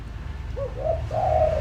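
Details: Spotted dove lure bird uttering a brief rising lead note followed by a rich, sustained hollow coo.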